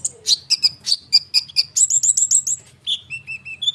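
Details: Rolling konin bird song used as a lure to draw responses from other birds: rapid repeated high chirps accelerating into a tight trill, then lower, clear whistled notes repeated in a short series, with soft background hum.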